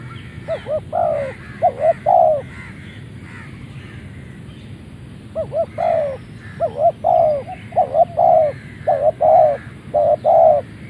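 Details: Caged Malaysian-line spotted dove kept as a ground decoy bird, crowing right after leaving its box: low hollow coo phrases, two short notes then a longer drawn-out one, repeated in bursts with a pause, faint chirps of other birds behind.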